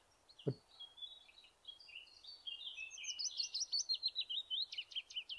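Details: A willow warbler sings a soft, sweet run of high whistled notes that slides down the scale and runs out of steam at the end, lacking the chaffinch's flourish, after a single dull knock.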